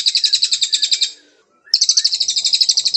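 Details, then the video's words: Canary song recorded as a training master for white-rumped shamas: a rapid high pulsing trill for about one second, a half-second silence, then the trill resumes steadily. "Masteran Murai Batu Kicau Kenari, suara masteran jernih"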